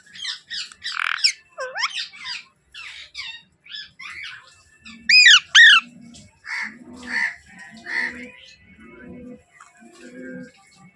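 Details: Pet baby Alexandrine parakeet: sharp squawks and chirps, two loud up-down screeches in the middle, then a series of hoarse, evenly spaced rasping calls.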